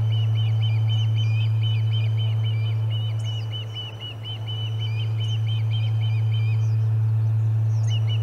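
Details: At the Charlo Osprey nest on 30 July 2020, during commotion and a fish delivery, a long unbroken chain of sharp whistled chirps runs at a fast even pace, with scattered higher squeaks and a deep constant hum.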